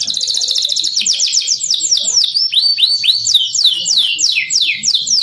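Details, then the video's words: A canary in full song, used as tutor song for young canaries: a fast, unbroken run of high, bright trills and sweeping downward whistles, phrase after phrase with barely a pause. "MASTERAN KENARI MACET | CANARY SINGING"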